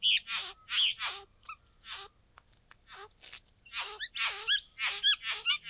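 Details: Excited pair of young bowerbirds at the bower finding blue objects; repeated harsh, scratchy rasps with rising squeaky edges, clustered in rapid runs and separated by a short quieter gap.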